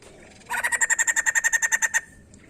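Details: White-crested laughingthrush song, played to get other birds to sing: a burst of about fourteen fast, evenly spaced harsh pulses lasting a second and a half, with quiet before and after.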